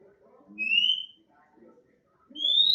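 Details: Natural song of an oriental magpie-robin: two pure, rising whistles about two seconds apart, with soft background voices and noise.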